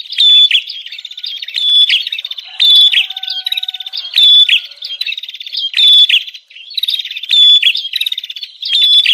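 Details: Bar-winged prinia, a noisy 'ribut' lure recording used to draw in wild prinias and to train captive birds: bursts of fast buzzy, rattling chatter with sharp high ticks, in phrases about every second and a half, separated by short gaps.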